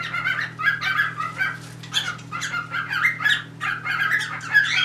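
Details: Pet cockatiels during mating, a third bird trying to join in; busy warbling chatter of short buzzy and whistled notes running almost continuously, over a low hum.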